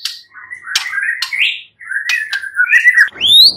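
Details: White-rumped shama in fighter-style gacor song, meant to prompt a silent shama to answer: slurred, warbled phrases with buzzy notes and sharp clicks, ending in a loud rising whistle.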